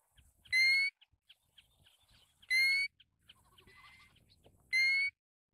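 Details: Pacific golden plover calls: three loud, clear whistled notes, each slightly rising with bright harmonics, spaced about two seconds apart, with faint soft chatter and low rustling between them.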